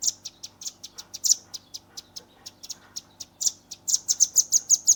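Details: Velvet-fronted nuthatch youngster in 'tembakan' song for tutoring, phone-recorded: repeated high chips at an uneven pace through most of the passage, closing in a quicker, louder run of ringing notes.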